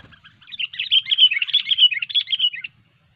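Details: Sooty-headed bulbul in cengkram over fighter style, heard during hobby bird trapping: one continuous two-second stream of quick, bubbling whistled notes that rise and fall, ending abruptly into silence.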